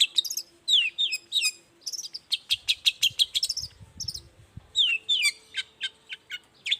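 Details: Long-tailed shrike singing in the morning, used as a lure to make silent shrikes answer: a lively, varied string of high chirps and sharp slurred notes, with a fast burst of short ticking notes in the middle and a faint low hum.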